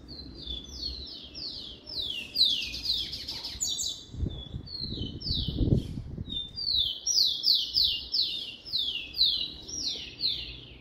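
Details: Caged rufous-collared sparrow, captive-bred, singing while warming up; long series of clear descending whistled slurs repeated steadily, with brief low thumps and faint rustling in the middle.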